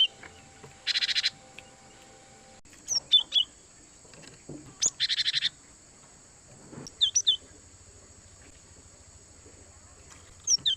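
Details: Cinereous tit (gelatik batu) used as a lure for wild birds: buzzy rattling bursts alternate with quick high, descending two-note whistles, repeated in irregular clusters against quiet background noise.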